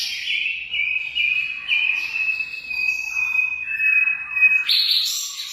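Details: Munia singing a long, thin, high whistled note held steady with small upward steps, then jumping higher near the end into buzzy, shrill notes.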